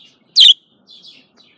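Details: Single loud, piercing chirp from a female budgerigar, a quick downward sweep, followed by a softer, brief warbling twitter.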